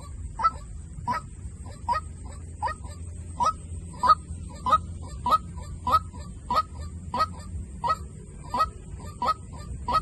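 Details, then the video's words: Sixteen or so clipped, honking notes from a white-breasted waterhen decoy call, steadily repeated about every 0.65 seconds with a slight rise in each, above a low droning hum. "tiếng chim quốc mồi"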